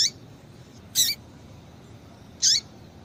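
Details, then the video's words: Female Double-collared Seedeater (coleiro tui-tui) calling to stimulate males to sing: two brief, sharp high chirps about a second and a half apart, each with a quick downward slur, over faint low background hiss. "Piado de Fêmea de Coleiro Com Piado de Fêmea de Coleiro Quente para Esquentar Coleiro tui tui"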